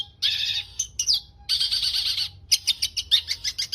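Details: Long-tailed shrike kept in a cage, singing a varied song rich in fillers: raspy buzzing bursts broken by short pauses and a quick upward note, ending in a string of clipped, scratchy chirps.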